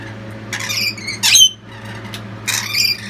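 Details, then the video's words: Lorikeets, a family cheering loudly as the youngest chick has just left the nestbox, give harsh, screeching squawks in three loud bursts about a second apart, over a steady low hum. "Rest of the family support him loudly."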